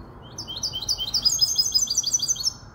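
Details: Short burst of high, rapidly repeated chirping notes, each a quick downward flick, delivered by a five-month-old hybrid goldfinch kept in Casablanca.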